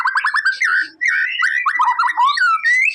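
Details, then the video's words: A white-rumped shama sings to provoke a quiet bird into answering, with quick stuttered whistles, then long slurred whistled phrases swooping up and down, with a short pause after the first second. "MURAI BATU MALES BUNYI!!! CUMA BUTUH 5 DETIK LANGSUNG RESPON!!!"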